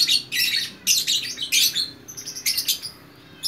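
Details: Lovebird, a single fighter bird in Bukittinggi, West Sumatra, produces scratchy, shrill chatter bursts, then thinner high squeaks and a faint whistle before falling quiet.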